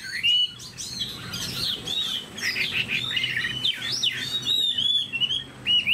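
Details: Chinese hwamei, a caged bird kept in Vietnam, singing varied whistled phrases mixed with harsher rasping notes and sharp upslurred whistles, delivered in uneven bursts.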